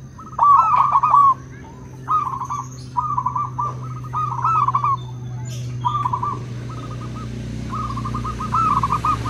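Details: Local and crossbred zebra doves answering each other: a dense run of rolling, stuttered cooing phrases, six or seven in nine seconds, one bird overlapping another, over a faint low hum.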